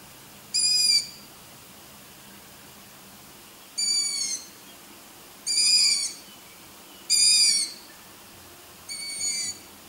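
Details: Long-eared owl chicks, filmed at night, with the voice likened to kittens meowing: five thin, high, squeaky drawn-out calls in about ten seconds, spaced irregularly every one and a half to three seconds, over quiet background.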